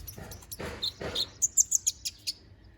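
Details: Konin bird in full song: soft rustling and brief squeaky notes lead into a quick series of bright, very high chirps, about eight in a row, tapering off.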